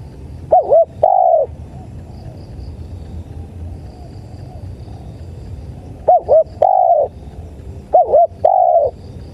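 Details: Tekukur, the spotted dove, in lure playback: three cooing phrases of two quick curved notes and a longer sustained hoot. A long pause separates the first from the rest. A low rumbling background runs throughout, with faint high ticking.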